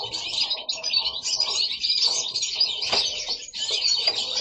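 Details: Pet goldfinches singing at home, with a continuous run of fast, bright twittered notes and chirps that barely pause, and an occasional soft knock in the room.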